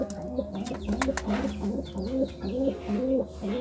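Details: Pigeon cooing while courting: a run of short, low, evenly spaced notes, stepping slightly up and down, about two per second, with faint chirps and a low hum behind.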